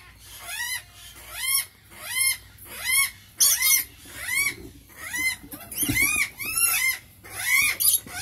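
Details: Rainbow lorikeets keep up repeated rasping squeals, each a rising-then-falling arched note, spaced under a second apart, with a soft knock midway.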